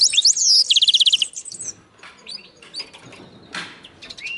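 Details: Linnet x canary hybrid singing: a loud high phrase of whistled slurs, then a fast trill of about ten rapid repeated notes, followed by quieter scattered chirps and twitters.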